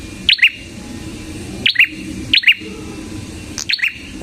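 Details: Lively song of a red-headed prinia (prenjak kepala merah), used to lure prinias and train other songbirds: clear two-note chirps dropping in pitch, repeated at irregular intervals of one to two seconds.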